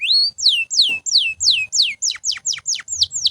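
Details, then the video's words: Canary in continuous song for training other birds, giving a steady run of loud downward-slurred whistles, roughly three a second, each sliding from high to lower pitch. A faint low rumble sits behind. "Canto de Canário Gritando Sem Parar"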